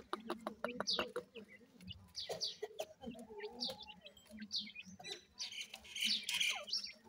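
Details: One-week-old Grey francolin chicks in captivity calling in a busy chorus of high chirps and short clicks, with brief lower warbling notes midway and a constant low hum.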